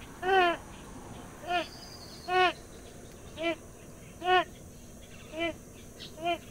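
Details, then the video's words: Purple swamphen uttering quieter nasal, harmonic calls roughly once a second, alternating louder and softer notes, with a faint thin whistle near the start and a low background hiss. "صدای طاووسک"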